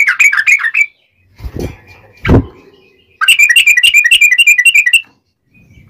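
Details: Sooty-headed bulbul giving ngobra song for tutoring and trapping wild birds: quick whistled phrases, two dull knocks, then a long rapid run of clear, ringing notes.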